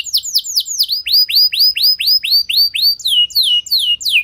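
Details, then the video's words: Canary in continuous song, used as a lure to set other canaries singing: a rapid series of downward-slurred whistled notes, about six per second, shifting midway to slower, lower sweeping notes. "Bakal Terpancing Jadi gacor Panjang Burung Kenari Lain Segala Kondisi! Ikut Gacor Pasti Ngeplong"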